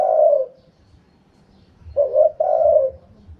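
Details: Spotted dove in the "karom pa" wild cooing style. The tail of one mellow coo fades out, then after a pause a complete phrase follows: a short stuttered note and a longer throaty croo trailing downward.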